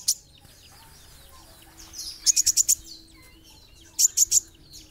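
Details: Kolibri ninja, the olive-backed sunbird, singing: two short, very high trills of four to five crisp ticks each, separated by a pause with faint thin chirps and a low steady hum behind.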